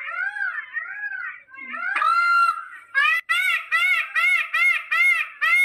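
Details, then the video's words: Peafowl cries: softer arching nasal notes first, then a long drawn wail, followed by a rapid run of seven short, loud, ringing calls at a steady pace. "Peacock Sound, Peacock with Sound, 6 Minutes Long Sound of Peacock || Peafowl Sound"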